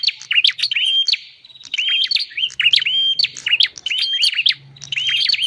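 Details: Bar-winged prinia lure call for wild birds: clicking notes joined to short level whistles, repeated in phrases about every second, over a faint low hum.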